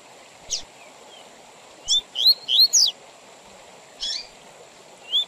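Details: Double-collared seedeater giving Tui Tui Zel Zel song for tutoring young birds and tournaments: a few soft separate notes, one phrase of four bright rising whistles with high downward slurs, then a single note and a final whistle, over faint steady tone.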